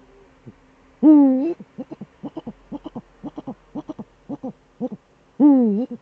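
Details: Eurasian eagle-owl duet at the nest site, male present, Eifel, Germany, December evening 2013: a loud wavering call opens and another closes after about four seconds, with a quick series of brief notes between them.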